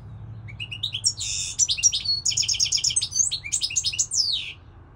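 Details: European goldfinch singing a fast, liquid twittering song of varied high chirps, buzzy trills and tinkling notes, delivered in a continuous run with brief, harsher buzzes mixed in; background is quiet.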